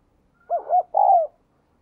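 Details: Spotted dove with a 'đồng kim' voice style, a keen cooer, cooing for playback to stir newly caught doves: three soft, low, rounded hoots, the last one longer and falling, in a quiet setting.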